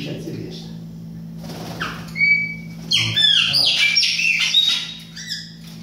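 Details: Young chopi blackbird learning to sing, giving clear sliding whistles followed by a dense run of rising and falling whistled and buzzy notes, with a steady low electrical hum behind.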